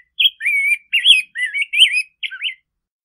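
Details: Rose-breasted grosbeak singing: a rich, warbled run of short whistled phrases, each swooping up and down, about six phrases in under three seconds with brief pauses between them and a clean, quiet background.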